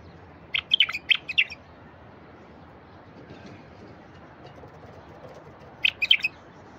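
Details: Wild bulbul singing, used to encourage silent wild bulbuls to sing: a quick phrase of several sharp chirped notes, a pause of about four seconds, then a second, shorter chirpy phrase, against faint steady background noise.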